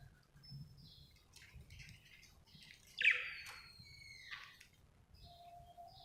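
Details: Happy budgerigar chirping: soft scattered ticks and chatter, then a louder scratchy squawk followed by a drawn-out whistled note, with quiet low hum underneath.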